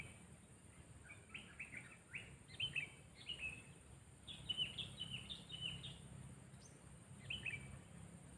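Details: A sooty-headed bulbul in decoy training sings a series of short whistled notes, some in quick clusters, over about eight seconds against a steady background hiss.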